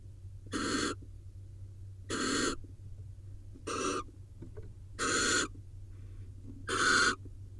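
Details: Barn owls mating on a nest camera in Israel; five rasping, hissing screeches of about a third of a second each, spaced roughly every one and a half seconds, over a constant low electrical hum.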